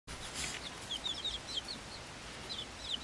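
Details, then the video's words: Swedish Flower Hen chicks, five weeks old and hatched on 26 February 2022, kept together with a silkie chick of the same age: scattered short, high, downslurred peeps over a steady hiss. "Blumenküken 5 Wochen alt"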